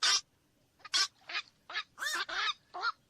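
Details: Rough, nasal squawks of a black-crowned night heron, spaced unevenly, some drawn out and broad, about seven loud calls in just over three seconds.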